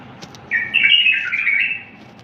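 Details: A bulbul delivers one phrase of its wild-style song, recorded cleanly for teaching bulbuls: a rolling, slurred whistle lasting just over a second, with a few soft ticks before it and a quiet background.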